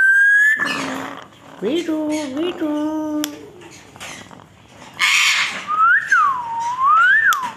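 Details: African grey parrot producing voice-like harmonic phrases, then two looping whistles that swoop up and fall back down near the end.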